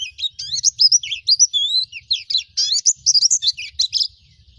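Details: Training song of a wild-style white-eye for young birds: an unbroken jumble of high, twisting chirps and trills, bright and hurried throughout, ending in a softer tail.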